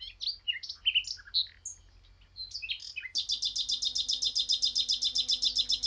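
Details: Eurasian blackcap delivering a jumbled, chattering warble that breaks into a long run of rapid, evenly spaced repeated notes, about five each second.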